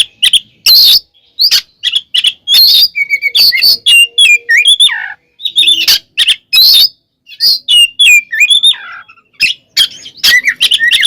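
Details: Kacer, the oriental magpie-robin, delivering a long continuous fighting song used to provoke other birds, mixing rasping bursts, clear rising and falling whistles and quick varied phrases with few pauses.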